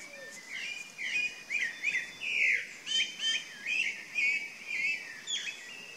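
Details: Chalk-browed mockingbird (Mimus saturninus) singing a varied run of rich, bubbling phrases, about two each second, with a faint background hiss.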